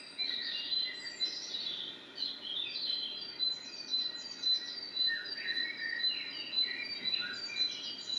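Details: Common blackbird singing in short warbled phrases of sliding notes, some lower and fluty, others high and twittering, coming roughly twice a second, over a chorus of other small birds chirping and a steady high insect-like whine.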